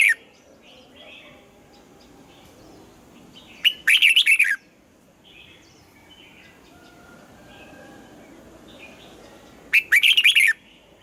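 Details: {'caption': "Red-whiskered bulbul singing in the morning while being voice-trained for the double-note 'âm kép già rừng' style; two short, loud whistled warbling phrases about six seconds apart, with faint thin chirps between them."}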